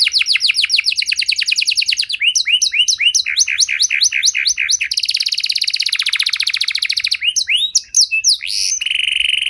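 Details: Canary in full, long-lasting song with prized phrasing, played to draw silent canaries back into song: fast high trills alternate with series of swept notes and dense buzzy rolls, almost without pause.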